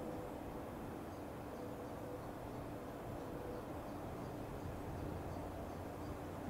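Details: Steady low rumble like a passing vehicle or train, with no animal call.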